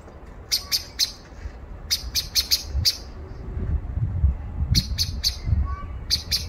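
Common blackbird giving sharp, high chinking calls in quick bursts of two to four, repeated every second or so, over a steady low rumble.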